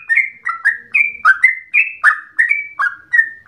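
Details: Trucukan (sooty-headed bulbul) in a lively long ropel said to recall straw-headed bulbul song, giving loud, full whistled notes in a bouncy sequence, each slurring up or down.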